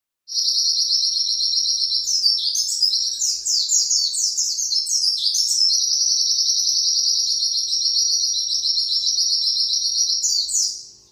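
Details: Pleci (white-eye) giving a long 'nembak panjang' song used as a master recording for training other birds: a continuous, high, rapid stream of chattering, trilled notes with quick down-slurred phrases, unbroken for about ten seconds.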